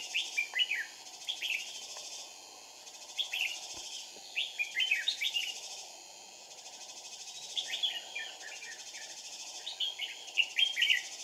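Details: Red-whiskered bulbul recorded during trapping with two decoy birds on 2 April 2019: bright, warbled phrases of quick slurred notes, repeated in three bursts with short pauses between, over a steady insect-like buzz and low ambient hiss.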